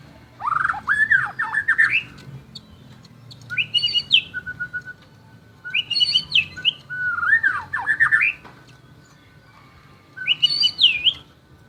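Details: Energetic competition song of a white-rumped shama: four bursts of varied, looping whistles and rapid warbled slurs, each phrase lasting one to two seconds, with short pauses between them.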